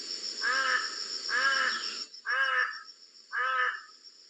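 Large-billed crow giving four harsh, deep caws about one second apart, with a thin steady high whine in the background.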